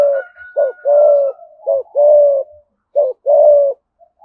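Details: Spotted dove from Đồng Nai, Vietnam, delivering fast thúc gù coos in the thổ voice: short clipped note then a long mellow coo, repeated three times, with a faint high whistle early on.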